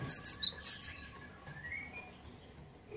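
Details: Cinereous tit from Indonesia, a bird said to have become rare in gardens, delivering a brief second-long flurry of about six high, sharp chirps, followed by quiet with faint background whistling.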